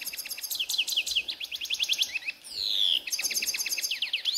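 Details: A Himalayan (grey-headed) goldfinch (Carduelis caniceps) in a ravine sings a fast, high, tinkling twitter of quick down-slurred notes, broken by one drawn-out buzzy falling note in the middle.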